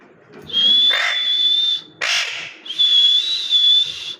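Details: A parrot gives a long, pure, high whistle overlaid with a rough squawk. A short harsh screech follows, then another extended steady whistle.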